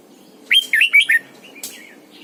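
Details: A single fluid phrase from a caged decoy red-whiskered bulbul in morning song, double-note mature wild style: four whistled, wavering notes in quick succession, followed by a soft chirp.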